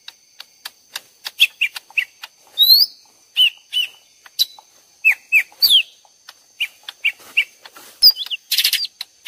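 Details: Two lesser green leafbirds calling back and forth as if fighting, mixed as a trapping lure, give quick, varied bursts of bright slurred whistles and sharp chirps, ending in a harsh rattling burst; a thin steady high tone hums behind.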